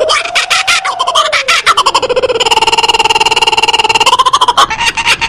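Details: Kookaburra laughing at close range: a gliding hoot that rises and falls, then a fast train of regular, rattling ha-ha notes. The notes climb slightly near the end before more choppy cackles follow.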